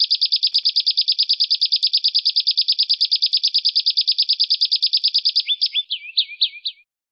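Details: Training song for caged and contest birds in the rough 'besetan kasar' style. A long, rapid, metronome-like chatter of shrill buzzy notes runs for over five seconds, then breaks into a few looser twisting phrases before stopping.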